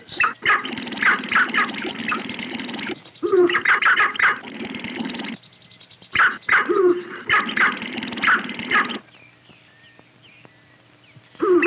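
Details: Male sharp-tailed grouse on guarded display territories at the edge of the Delta Marsh near Lake Manitoba, Canada, in courtship ritual attracting females, give far-carrying bursts of rapid, raspy cackling and clucking notes a few seconds long, separated by short pauses.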